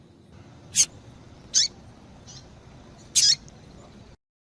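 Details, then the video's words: Female double-collared seedeater calling to excite the male: sharp, high chip notes repeated at irregular intervals of about one to one and a half seconds, one faint softer note between, quiet background. "Piado de Fêmea de Coleiro para Esquentar o Macho"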